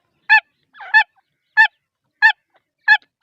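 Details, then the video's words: Grey francolin (teetar) female calling: short, harsh, ringing notes repeated about every two thirds of a second, five in all, with one rougher scratchy note mixed in; no other sounds. "female teetar awaz"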